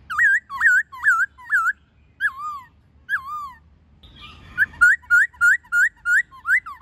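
A laughingthrush sings loud, slurred whistles, each note swooping up and down, in quick runs of about three per second, broken by a brief scratchy burst.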